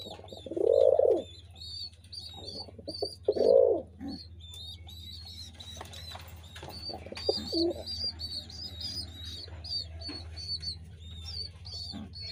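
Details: Two strong, rich pigeon coos early on, then mostly a busy chatter of high, rapid chirps from many small birds, with only faint low cooing afterwards and a constant low hum.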